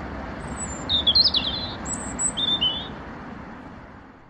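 European robin sings two short, high, thin warbling phrases about a second apart, over a steady low rumble of distant traffic.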